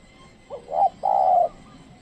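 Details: Trained lure spotted dove calling to wild birds. One phrase: a short rising double note, then a drawn-out, even, low coo lasting about half a second, over faint background hiss.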